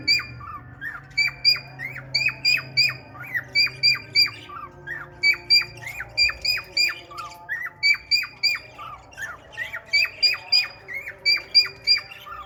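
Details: Courting a red-eyed female budgie, a male cockatiel pours out bursts of quick, clipped whistles that fall in pitch, grouped in runs separated by brief pauses, with occasional low curled chirps.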